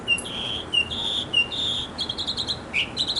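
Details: Mockingbird song from a backyard, the male singing to attract a female: a string of varied high whistles, some level and some sliding, changing every half second, against a low background hum.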